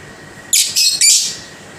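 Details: Lovebird giving a slow, steady song: three harsh, high, rasping chirp bursts in quick succession lasting under a second, over a quiet room background.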